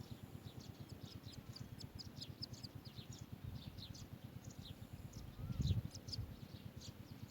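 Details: Asian green bee-eaters at the nest, bringing food to their young: a scatter of short, high, sharp chirps, some in quick pairs, over a steady low rhythmic thumping that dominates, with one louder low knock near the end.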